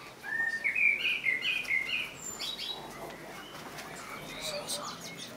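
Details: Common blackbird phrase of rising, flute-like whistled notes lasting about two seconds, trailing into soft background twittering from other birds.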